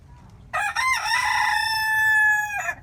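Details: A rooster crows once: a loud, harmonic call opening with a couple of quick rising notes, then one long, steady, slightly rising note held nearly two seconds before ending abruptly. Faint background hum.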